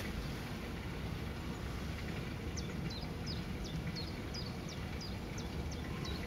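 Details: Common kingfisher in the Lewitz, Germany, giving a run of about nine thin, piercing, high whistles, roughly two or three each second, over a steady low engine-like rumble.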